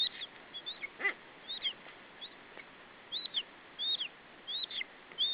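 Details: Nestling lesser spotted eagle in Estonia, 21 July 2012, keeps its food from the male parent. Quieter, high whistled notes with a quick downward flick, in short irregular bursts separated by brief pauses.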